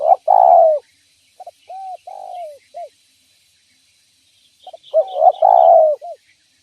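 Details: Lure call of a spotted dove, calling vigorously to draw in wild doves: a loud double coo phrase, a series of short mellow notes and slurred coos, then the whole pattern repeats after a pause.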